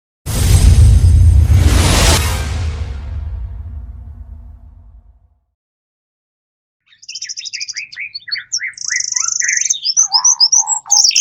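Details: Bird calls used as a lure for wild birds: after a loud, rumbling noise burst that fades to silence, a fast jumble of high chirps, sharp whistles and trilled notes runs rapidly and continuously to the end.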